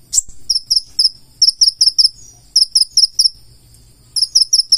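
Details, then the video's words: Purple-throated sunbird in lively 'gacor full isian' song: sharp, very high double-pitched chirps in quick bursts of three to five notes, with short pauses between bursts, over a faint low hum. "KONIN GACOR FULL ISIAN"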